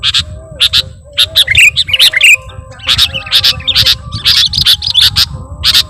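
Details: Sooty-headed bulbul decoy in full song with imitated phrases: evenly spaced harsh chips mixed with brief twittering flourishes, and a soft low background hum throughout.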